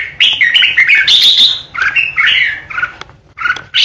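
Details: Red-whiskered bulbul decoy opening with a sustained rasping ché, followed by slurred, falling whistled notes and short chirps.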